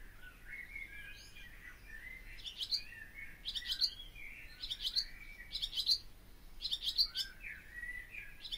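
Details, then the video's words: Barn swallow song with spaced bursts of high clicking twitter about once a second, mixed with softer slurred whistles lower down. "O canto da ANDORINHA-DAS-CHAMINÉS/BARN SWALLOW SONG (Hirundo rustica)"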